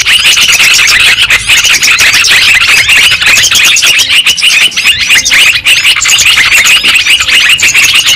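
A dense, nonstop chorus of Yellow-vented bulbuls, bright bubbling and chattering notes overlapping so closely that no single call stands out.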